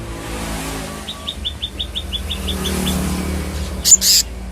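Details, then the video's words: Black-naped monarch calling: a run of about ten short, evenly spaced, slightly rising whistled notes over low vehicle rumble, ending with loud harsh noise bursts. "Selendang biru/kehicap ngombyok kemarin sudah bunyi"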